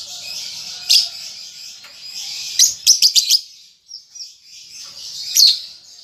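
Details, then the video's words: A young lovebird learning to chatter gives a continuous high, hissy, rasping babble, broken by several louder sharp clicking bursts in quick succession midway and another near the end. "Lovebird Paud Baby Balibu Muda Belajar Ngetik Ngekek"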